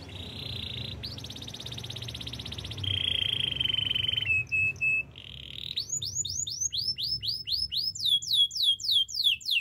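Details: Canary singing, a recording offered for song training: long buzzy trills, a sustained rolling tone, then a run of rapid downward-sweeping whistled notes repeated several times a second, with faint low background hum.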